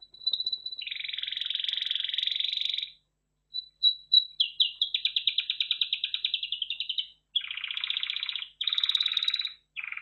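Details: A red factor canary (Belgian canary, Serinus canaria domestica) sings a long, varied song of fast trills and rolling tours, high-pitched and bright, with brief pauses between phrases.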